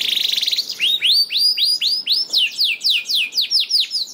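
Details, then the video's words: Canary song used to stimulate lazy canaries: opens with a rapid buzzy trill, then a regular series of rising, arching whistled notes about four per second, ending in quick descending sweeps. "PANCINGAN KENARI JAMIN AMPUH LANGSUNG BUNYI SEKETIKA DALAM HITUNGAN MENIT #27 || VOICE OF CANARY"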